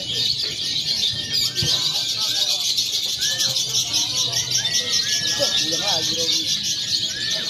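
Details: Training recording of a lovebird contest simulation combining konslet, fighter and paud styles: rapid, rattling high-pitched chatter throughout, broken by short upward-flicking notes and a brief low knock near the start.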